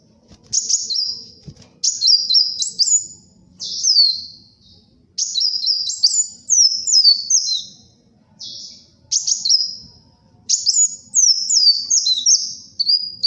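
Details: Vocal kolibri wulung sunbird, recorded as a lure and tutor song: repeated bursts of high, scratchy twittering phrases with stepped rising and falling notes, about two seconds each, separated by brief silences.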